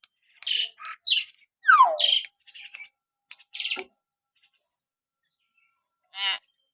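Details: Common hill myna sounds meant to trigger pet mynas to call: a burst of short buzzy chattering notes and a steeply falling squeal, then silence broken by one final harsh squawk.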